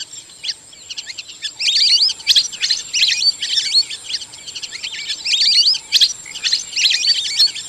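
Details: Lesser whistling duck whistling in lively runs: rapid strings of high, up-and-down chirped notes in two main bouts, starting quietly then loudening, over a continuous high-pitched background whine.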